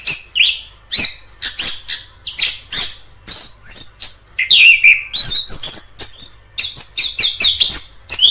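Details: Orange-headed thrush singing in the wild, with quick clusters of high chirps and thin whistles repeated in rapid sequence, the song lively and mostly high-pitched.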